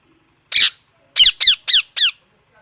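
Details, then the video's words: Parrot with a loud, rough squawk then four sharp descending squawks repeated about every quarter second, close and indoors-sounding. "Loud parrot sound"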